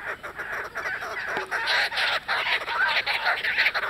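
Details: Kookaburras fighting over a lizard at Carnarvon Gorge: harsh, raucous cackling and chattering in rough pulses, rising and falling in loudness, over a steady background hiss.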